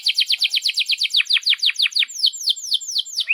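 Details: Canary in vigorous, long-rolling song, used as a tutor for young canaries learning to sing: a fast run of bright down-slurred notes about eight per second, then slower, louder descending whistled sweeps.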